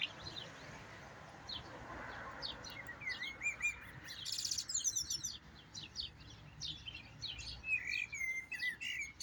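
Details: A goldfinch trained to the Jahmoumia song delivers a singing session: rapid, high, tinkling chirps with wavering whistled phrases and a brief burst of harsh buzzy notes midway.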